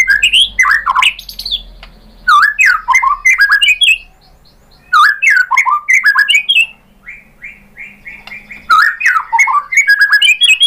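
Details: Loud, energetic white-rumped shama song meant as a lure to make other shamas answer: three bursts of jumbled fast whistles, chips and squawky notes separated by short silences, with a soft whistled series between.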